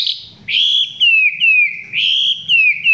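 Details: Chinese hwamei singing at close range, its song not yet fully intense: loud ringing whistles that jump up sharply and glide slowly downward, repeated in several phrases with brief pauses.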